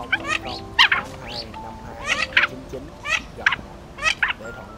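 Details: A lure recording of Mandarin ducks, cock and hen, calling the flock for night net trapping; abrupt harsh calls in clusters, some doubled, set against steady background music tones.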